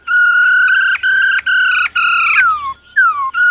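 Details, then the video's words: A female laughingthrush gives "ro ro" calls to stir up a male, with four loud, even, harmonic notes in a row ending in falling slurred whistles. "Khướu mái ro ro kích trống nhanh căng lửa"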